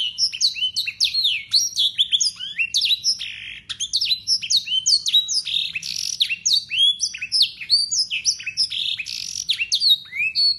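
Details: Local Yorkshire canary sings a long, continuous, clear stream of high whistled notes and swooping trills with blackthroat and sanger phrases, no pause, used as a tutor recording to teach young canaries.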